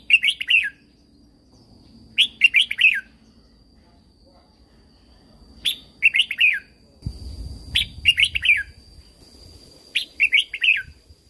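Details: Red-whiskered bulbul in Thailand, caged, repeating its 'Super Jack' training song. Five short, near-identical phrases of quick cheerful whistles come every two to three seconds, with a brief low rustle in the middle.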